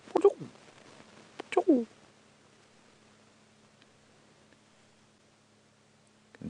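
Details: Hornbill at dawn on June 25, 2016, in Djuma Game Reserve on a safari drive, hornbills perching on treetops awaiting sunrise: two loud, harsh downward-sliding calls about a second and a half apart, then steady low engine hum and a third call.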